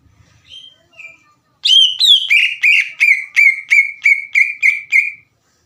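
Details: Green leafbird singing to goad other leafbirds into answering: two soft whistles, then a run of ten strong, sharp downslurred whistled notes repeated roughly twice per second, clean and without other sounds.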